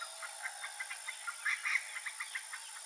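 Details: Roadside hawk (Rupornis magnirostris) giving a desperate call: a rapid run of short, nasal, mid-pitched notes, with two longer, louder cries in the middle, over a steady hiss.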